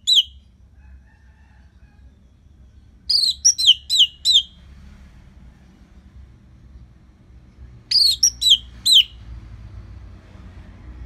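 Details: Orange-headed thrush from North Bali, Singaraja, Indonesia, singing as a lure for training other birds. Two bursts of four to five clear, high, downslurred whistled notes in quick succession, separated by several seconds of low background hum.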